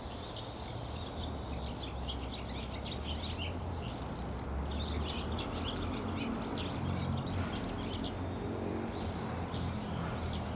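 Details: Barn swallows give rapid, overlapping high chirps and squeaky twitters, densest midway, against a loud low droning hum.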